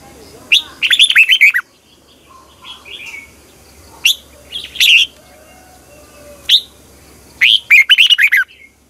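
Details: Red-whiskered bulbul fighting-style song in the long double twisted voice, used at morning training to stimulate other bulbuls. Fast trilled runs of sweet whistled notes, broken by single sharp notes and short pauses.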